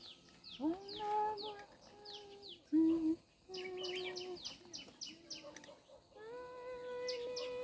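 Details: Birds singing in a forest at Hac Sa, Macau: quick, high, downward-sweeping chirps repeated in bursts, with steady lower tonal notes held underneath between them.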